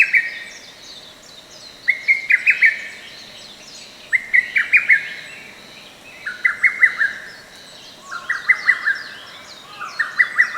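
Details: Lesser cuckoo song recorded in a forest park, 15 May 2024: emphatic bursts of about five quick, clipped notes, repeated roughly every two seconds, six phrases in all, with faint other birds high behind.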